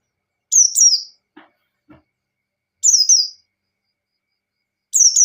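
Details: White-eye (pleci) ngalas song to provoke a rival: three high, bright phrases, each starting with sharp notes then sliding downward, spaced about two seconds apart, with a couple of soft clicks between.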